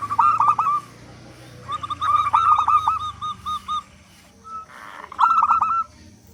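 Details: Zebra dove singing loudly as a lure for other doves: a rich rolling burst of notes, then a longer bubbling run that fades into separate coos, a quiet gap, and a final strong burst.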